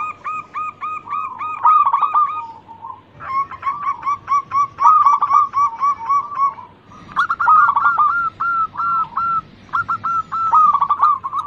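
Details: Local zebra dove singing energetically: long runs of fast, staccato coos with bright overtones, some phrases sliding down at the end, separated by brief gaps, with a low hum in the background.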